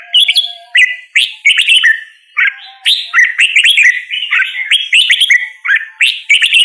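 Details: Red-whiskered bulbul song, a lively run of short, liquid whistled notes and chirps given in rapid clusters, almost continuous with brief gaps.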